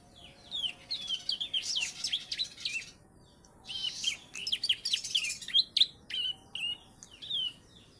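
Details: Young Bar-winged prinia, three months old, filled with ciblek song, giving two long bursts of rapid, sharp chirps and rolling notes separated by a short silence, ending in scattered single chips.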